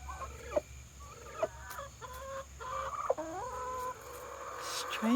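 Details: A hen turkey, seemingly reacting to her reflection as if it were another turkey, gives sharp clucks and drawn-out, wavering mid-pitched yelps, a handful over five seconds, with a woman's voice faintly in the background.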